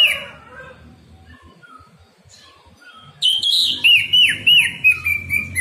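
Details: Orange-headed thrush song used to get caged birds singing in the morning: soft notes at first, then loud repeated looping whistles and trills, several clear rising-falling slurs in quick succession.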